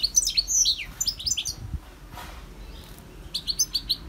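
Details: Song of a wild European goldfinch: quick liquid twittering phrases of high, slurred notes in two bursts, separated by a short pause with a soft low thump.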